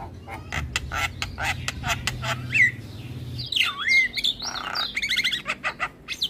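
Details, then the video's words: Asian pied starling song used as a training recording to get starlings singing: a run of short harsh broadband clicks and squawks, then rising and falling whistled slurs with buzzy notes, low hum underneath. "Masteran Jalak Kebo Terpopuler Tayang Setiap Hari Bikn Jalak Makin Gacor"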